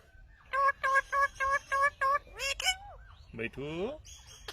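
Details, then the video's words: Pet Indian ringneck parrot repeating a short voiced syllable seven times in steady rhythm, then two swooping notes and a buzzy descending squawk, ending with thin high whistles. "Funny Talking Indian Ringneck Parrot"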